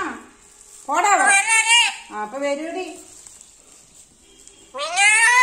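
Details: Talking pet black-capped lory gives a string of nasal, speech-like syllables that slide up and down, then falls quiet before one more drawn-out phrase at the end.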